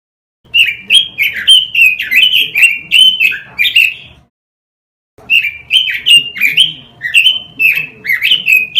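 A robin sings fast, bright chirping phrases of short rising and falling notes, in two bursts split by a brief silence.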